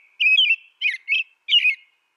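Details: Brief American robin song: three warbled whistled phrases, the first longer and slurred, the others shorter and slightly squeaky; otherwise silent.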